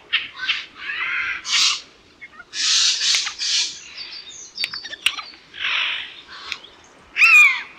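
Eurasian jay giving harsh, rasping screeches in quick bursts, several per second at times, mixed with a few thinner squeaky and whistled notes.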